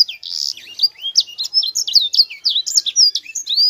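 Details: Chatty sanger in rolling, tight song: an unbroken stream of high, rapid slurred whistles and short chips, rising and falling quickly, with no other sounds.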